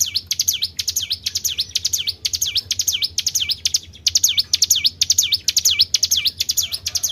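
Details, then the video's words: Bird lure recording of the Tribel bird: high, piercing paired chirps with a falling-rising sweep, repeated rapidly and steadily, one brief pause midway, and a constant low hum in the background. "PANCING BUNYI BURUNG TRIBEL"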